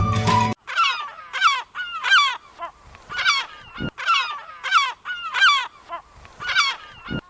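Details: Heuglin's (Siberian) gull (Larus heuglini), a seabird, from Sri Lanka, where Colombo's Port City is noted; it gives a series of loud, nasal, laughing calls, each a quick cluster of yelping notes about once a second, after a brief burst of music.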